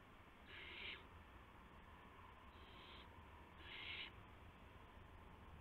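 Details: Owlets in a nest at night on March 19, 2016, shortly after midnight, as adults deliver a gopher and mice. Three harsh, breathy hisses of about half a second each, spaced roughly one and a half seconds apart, over a steady low hum.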